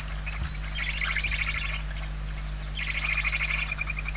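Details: Hungry barn owl young in a Spanish nest, November 2023, produce overlapping rough hissing calls, two longer bursts with softer scraps between, over a low mechanical hum.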